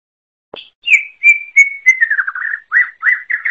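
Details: Wild greater green leafbird song: after a short click, a run of clear, level whistled notes gives way to quicker, wavering, slurred phrases, each note about a third of a second apart.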